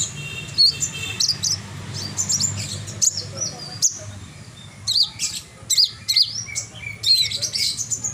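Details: Bushlark in full, lively song: sharp high chirps and brief whistled flourishes delivered in short bursts every second or so, with pauses between, over a faint low hum in the background.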